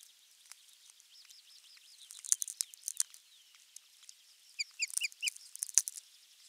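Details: Osprey at its nest on 23 June 2020, morning fish delivery of a half-kilo crucian carp; short high chirping notes, a brief run early then a louder burst of clipped whistles, amid crackling clicks.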